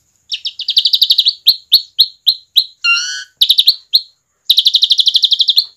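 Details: Asian pied starling in energetic singing form, used as a lure for other starlings: fast runs of sharp chirping notes, a mid-clip harsh nasal squawk, then another rapid chattering run of repeated notes.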